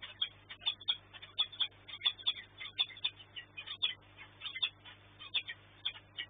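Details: Nighttime food delivery at a peregrine falcon nest in Płock on 13 March 2024. A rapid, uneven series of shrill, clipped calls runs about once or twice per second, over a constant low electrical hum.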